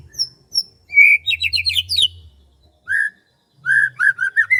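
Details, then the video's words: Morning in rice fields: a bird sings a short whistle followed by a quick run of slurred notes, then pauses and resumes with several lower whistled phrases; faint low rumble behind. "SUASANA PAGI DI SAWAH SAMBIL DENGERIN KICAUAN BURUNG"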